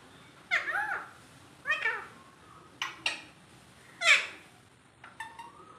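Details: Alexandrine parakeet mimicking human talk, giving five separate rasping, harmonic utterances at roughly one-second intervals, some curving downward, the last a thin flat tone, with a quiet room hum behind.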